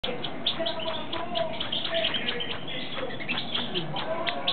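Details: Young European goldfinches, nestlings of a pastel female, give a dense, continuous chorus of thin, high chirps and twitters while being fed by her, over a low background rumble.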